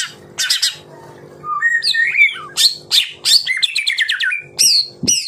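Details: Murai batu, the white-rumped shama, giving varied 'tembakan rapat' phrases: harsh chips, warbled twisting whistles and quick slurred notes in close succession.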